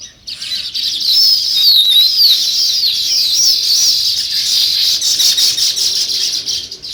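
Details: Sparrows, described as weaver birds, in natural chirping: a steady, loud wall of high twittering and chattering from several overlapping birds, with rapid irregular chirps throughout.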